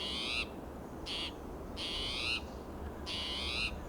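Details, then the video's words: Restless spotted towhee sounding alarm in coast live oak and Monterey pine, Del Monte Forest, California, on a June morning; four loud, grating, buzzy calls in quick succession, each about half a second, over faint low background hum. "Agitated Spotted Towhee Sounds Alarm"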